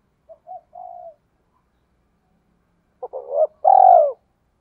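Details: Spotted dove used as a decoy, calling to draw in others: soft low short notes, a quiet pause, then a stuttering throaty phrase ending in a loud, drawn-out, slightly falling coo.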